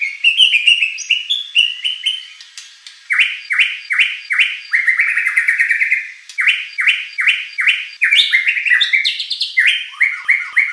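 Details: White-rumped shama performing a lure song for competition birds, with rapid repeated downslurred whistles in rhythmic groups, a short buzzy stretch, and rising high sweeps mixed with sharp notes.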